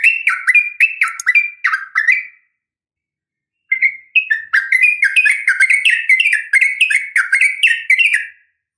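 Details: Fighting call of a female yellow-vented bulbul summoning a male: rapid, bubbly downslurred notes in a fast chattering series, a pause of over a second, then a longer, denser burst of the same liquid chatter.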